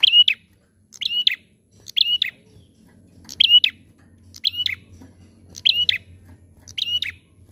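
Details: Lure song of a sooty-headed bulbul, played to get other birds singing: crisp chirpy two-note bursts repeated about every second, clear and loud over a quiet low rumble in the background.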